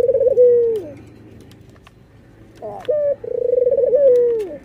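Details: Cooing of a white dove with red eyes as it nods and laughs: a trembling low hoot dropping at its close, a pause, a short abrupt double note, then the wavering coo again.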